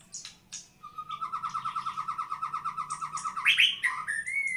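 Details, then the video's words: White-rumped shama, a prized songbird, delivering a fast rattling trill of about twenty evenly repeated notes, ending in a sharp rising whistled flourish, with a few sharp clicks before. "Kicau Murai Batu"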